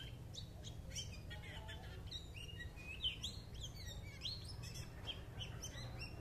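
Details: High, tumbling twitters from a white-eye, sharp chirps and quick rising whistles packed closely together over steady low background noise.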